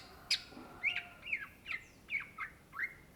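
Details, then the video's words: Greater green leafbird, called cucak ijo in Indonesia, singing lively: a sharp click, then a series of short rising-and-falling whistled slurs spaced about half a second apart. "SUARA BURUNG CUCAK IJO GACOR , TELER"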